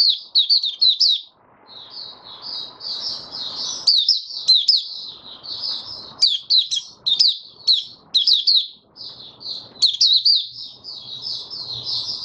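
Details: Male white-eye (Mata Puteh) steadying its form in opening song, dated 08012022: a long, lively sequence of high, quick chirps and twittered phrases, with a brief gap after the first burst.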